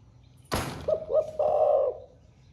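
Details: A loud thump, then a spotted dove of the 'thổ pha' song style gives its coo: two brief hollow notes leading into one sustained low coo lasting about half a second.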